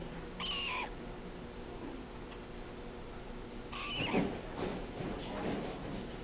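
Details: A young, injured eastern screech owl recovering at a bird-of-prey center in Maitland, Florida, gives two short, high, squealing notes about three seconds apart, with soft rustling and low room noise between them.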